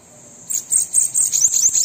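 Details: Bananaquit song used to stimulate a captive bird to sing: after a quiet start, a very high, thin, buzzy run of rapid chirps and downslurred notes fills the last second and a half.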